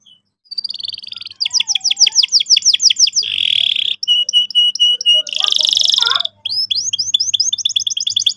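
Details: Canary singing as a training lure for young birds: a rising whistle into a rapid rolling trill, a buzzy rattle, clipped paired notes, a loud buzz, then quick upward chirps.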